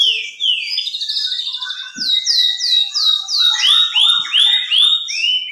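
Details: Canary performing 'cengkok super' song: a sequence of sweeping whistled notes at varied pitches, building to repeated bright up-and-down slurs about five per second, rich and musical.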